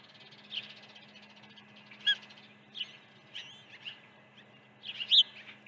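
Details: Osprey at a nest at Dunrovin Ranch during an early feeding on 1 June 2019: faint high chirps scattered through the clip, with sharper, louder piping notes near the second and fifth seconds over a steady low hum.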